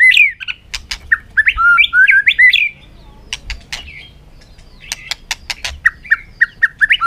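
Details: White-rumped shama, fired up and bouncing on its perch, singing a fighting song in the afternoon sun: rich, varied whistled phrases with sharp clicks, a brief pause, then short repeated whistled notes.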